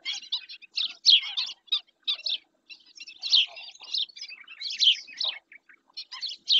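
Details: Black-winged stilt filmed by webcam in Spain's Doñana National Park: an almost unbroken series of high, scratchy yelping notes in short clusters, louder around one and five seconds.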